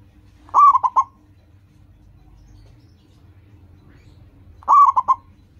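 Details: Zebra dove of a local strain in full song, a recording meant to coax caged birds into singing: two bursts of rapid, bubbly cooing notes about four seconds apart, with quiet background hum between.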